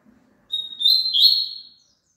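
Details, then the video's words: Double-collared seedeater song meant to prompt a caged bird to sing along: a clear high whistled note followed by a dense, buzzy, warbling phrase of quick twitters, with a faint low murmur before it. "COLOCA ESSE CANTO PARA SEU PAPACAPIM CANTAR JUNTO"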